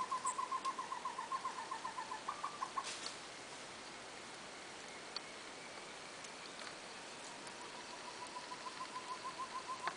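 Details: Short-tailed antthrush (Chamaeza campanisona) walking on the forest floor while foraging in Corupá, Santa Catarina: a fast run of hollow, evenly pitched hoots, several a second, which breaks off, then builds again quietly and grows louder.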